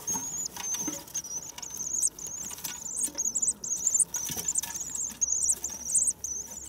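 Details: Common swifts back on 9 May after spring arrival. Shrill, high trilled screams repeat almost without pause, each burst rising slightly at its end, above a hushed background.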